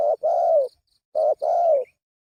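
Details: Two phrases from a spotted dove lure call, each a short note followed by a long, soft, gently falling coo, spaced about a second apart with a quiet background.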